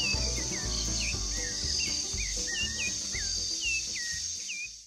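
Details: A Rufous-bellied thrush (Turdus rufiventris) sings to mark its territory, short clear whistled phrases slurring up and down, over a steady high insect buzz and a low hum.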